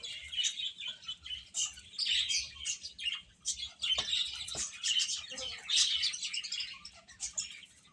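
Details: Chicks busy eating and playing: constant overlapping high chirps and squeaky peeps, with a couple of sharp taps and faint rustling below.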